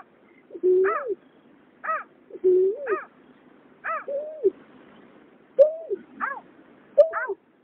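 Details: Male and female water rail from 2021, used as a night lure for migrating birds, trade calls: steep downward-sweeping harmonic notes alternate with lower, drawn-out rising-falling tones, over faint background hiss.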